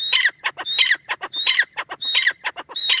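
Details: Francolin giving a fast rhythmic series of harsh, grating notes, each phrase led by a brief whistled stroke and followed by rasping clucks, repeated steadily about every half second throughout.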